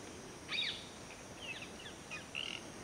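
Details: Black-hooded oriole (Oriolus xanthornus) calling: brief, clear whistled notes, first a bright burst, then softer scattered calls.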